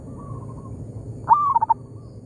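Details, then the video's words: Local zebra dove in an oil palm plantation answering a decoy bird: a faint distant coo first, then a single loud phrase of a rising note followed by rapid stuttering soft notes. "merdunya suara perkutut lokal di kebun sawit,bersahutan dengan pikat"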